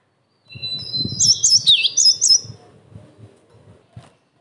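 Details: Singing cinereous tit, used to provoke rival tits to reply and to tutor young birds; one short burst of piercing whistled notes with a single plunging swoop, over soft low background rumble.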